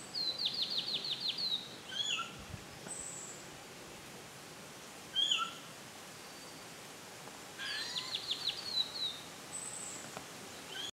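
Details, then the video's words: White-eared sibia, endemic to Taiwan and living in mid-elevation broadleaf forest. Rapid bursts of buzzy, descending trilled notes come near the start and again around eight seconds. Short slurred whistles fall between them, all over a steady forest hiss. "White-eared sibia, 白耳畫眉"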